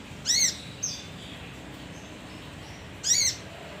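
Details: Male leafbird used to lure other birds gives two separate harsh, raspy, arched notes about three seconds apart, with a faint short whistle between them and quiet background.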